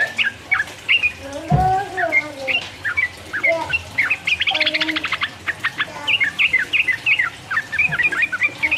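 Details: Yellow-vented bulbul singing as a master recording to make rivals emotional: bubbly slurred notes throughout, a short rattling burst in the middle, and a lower drawn-out call near the start.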